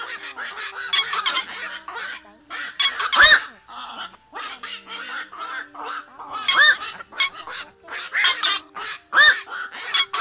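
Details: Black-crowned night herons calling together as a trapping lure for night nets: busy, irregular harsh squawks from many birds, with three louder abrupt calls scattered through and a faint hum underneath.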